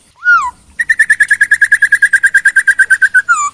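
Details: Loud Chinese hwamei song opening with a slurred downward whistle, followed by a steady rapid train of about twenty-two identical clear whistled notes and a final falling slur.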